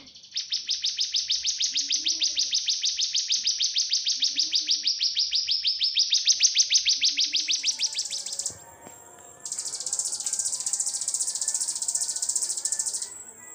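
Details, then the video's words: Cigun as a master recording for magpie-robins and white-rumped shamas: a long, even train of rapid high buzzy notes, then a brief pause and a second, higher-pitched run, with faint low background sounds. "Cigun Buat Master Burung Ocehan"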